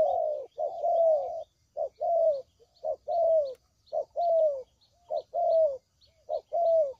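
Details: Trapping-lure recording of a spotted dove: soft, hollow coos with slightly falling notes, given in paired and single phrases about once a second, plus a thin, regular high chirping in the background.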